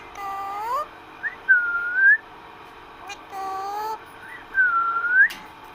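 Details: Pet parrot talking with its owner, giving a pair of rising, harmonic, voice-like notes, then a long, even whistle that bends upward at the end. The sequence repeats twice in quiet surroundings.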